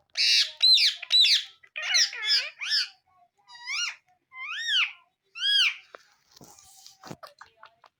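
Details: Pet parrot calling in a happy mood while dancing on a tree: a fast run of sharp, high chirps and rising-falling squeaky notes, bunched at first, then spaced about half a second apart, ending in faint soft clicks.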